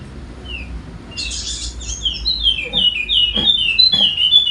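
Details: Golden-headed Wallacean white-eye from Sumbawa, West Nusa Tenggara, singing continuously as a lure for lazy birds: a soft buzzy burst, then a run of high, sliding whistled notes repeated about three times a second over low background hum.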